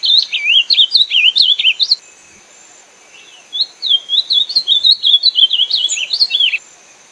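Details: Ultramarine grosbeak (azulão) singing: two rapid, melodious warbled phrases of quick rising and falling notes, separated by a pause of about a second and a half, with a faint steady high tone throughout the background.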